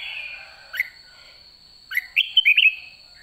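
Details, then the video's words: A red-whiskered bulbul at the end of the season, singing in the "ché" chattering style, gives a brief, bright chirp, then a quick run of liquid, warbling notes over a faint steady high tone. "Chào mào má trắng cuối vụ đã ché"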